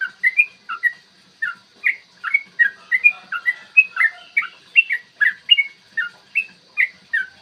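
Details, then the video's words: A yellow-vented bulbul sings a long, rapid morning song of the 'ropel panjang' type, meant to make other bulbuls sing and get aggressive. Its slurred, bubbly whistles come in an uneven but unbroken stream. "trucukan gacor TARUNG ROPEL PANJANG pancingan trucukan agar BUNYI dan EMOSI"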